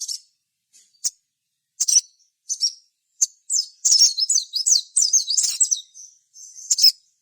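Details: Sogon song intended to provoke other sogon: spaced sharp high chips build into a quick sequence of twisting, slurred whistled notes.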